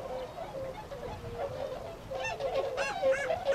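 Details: Tundra swans gathered at a retention pond in Azumino, Nagano, Japan, February 2013, setting off for nearby rice fields to feed: soft overlapping honks build into a few louder, clearer bugled notes near the end.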